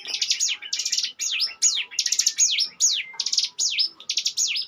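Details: Ngebren-style song of a Bar-winged prinia used as a lure bird: dense high rattling trills alternating with swooping downward whistles, eight or nine bursts in quick succession, clean with no other sounds.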